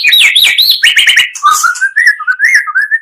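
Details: Oriental magpie-robin lure song from two combined voices, meant to rouse others; fast high twittering notes, then a run of lower, clear, wavering whistles.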